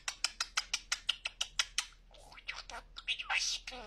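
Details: Pet budgerigar, a male, gives a rapid run of about eleven sharp, high clicks, then slurred chattering, squeaky mimicked speech in a small room.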